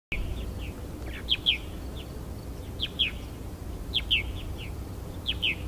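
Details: Purple martins sing lovely liquid gurgling, chirpy notes in quick bursts about every second, on the Fraser River at Iona on 10 August, over a low steady rumble of background noise.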